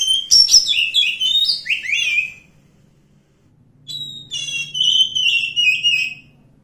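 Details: Forest-living wild Oriental magpie-robin singing two bursts of sweet, slurred whistles that step downward, each lasting about two seconds and separated by a silent gap; a soft low hum runs underneath.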